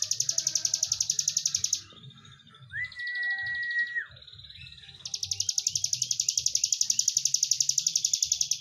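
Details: A mountain prinia, a kept bird, gives long, fast buzzy trills of high, rapidly repeated notes, broken by a short pure whistle, over a faint low background hum.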